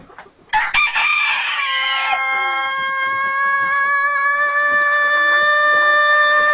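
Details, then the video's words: Rooster crowing: a harsh, ragged opening burst gives way to one long, perfectly steady, level tone held for over four seconds, like a siren, loud throughout with faint background noise. "Rooster invents New Ambulance Siren"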